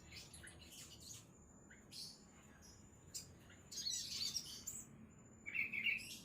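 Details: Scattered sharp high notes, then a dense burst of shrill twittering and a short buzzy trill from a ruby-cheeked sunbird, against a faint steady background hiss.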